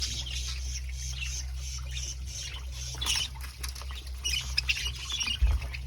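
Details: A baby budgerigar in an aviary that has found the food pot gives rapid, scratchy chirps and chatter over a steady low hum.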